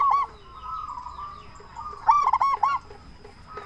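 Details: Local zebra dove with a strong voice, used as a lure for other zebra doves. A short note opens, then a soft drawn tone follows, and a brief, loud rattle of rapid coos comes near the end.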